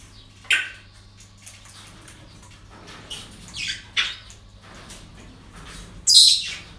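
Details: Parrots at a breeding centre: scattered short raspy calls and clicks, building to a loud harsh squawk near the end, with soft chatter and a low hum throughout.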